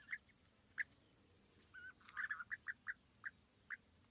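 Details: European bee-eaters perched at East Leake Quarry, 5 July 2017, very sunny morning; short rolling calls spaced at uneven intervals, a brief quick run in the middle, over faint background noise.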